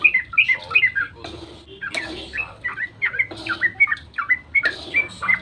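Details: Yellow-vented bulbul in long, rapid dawn song meant to prompt other birds to reply: hurried whistled phrases broken by harsher squawk-like notes.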